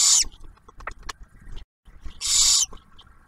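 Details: Barn owl at a refuge nest box near Oak Harbor, Ohio, during the owlet's first meal delivered by the male; two loud breathy hisses separated by soft clicks and rustling.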